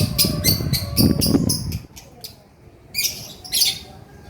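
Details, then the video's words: Male lovebird chattering with rapid, harsh high chirps for nearly two seconds, then two further rasping bursts, over low background rumble. "SUARA BURUNG LOVEBIRD GACOR JANTAN"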